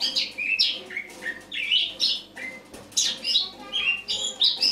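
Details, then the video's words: Morning recording from 1 October 2017 of a Eurasian blackcap's autumn song: lively, varied high warbling of darting chirps and falling whistles, delivered in quick succession with tiny pauses between phrases. "Осеннее пение славки-черноголовки (Sylvia atricapilla)"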